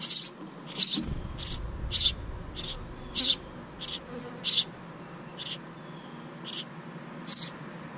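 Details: House wren chicks in a bird house outside a kitchen window, the pair's second brood of the year; short, buzzy, high bursts repeat roughly every 0.7 seconds, with a low rumble early on.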